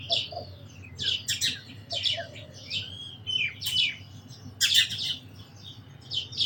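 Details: Sparrows call with quick, sharp, high chirps, often doubled, repeated irregularly about every half second, with a faint low hum underneath.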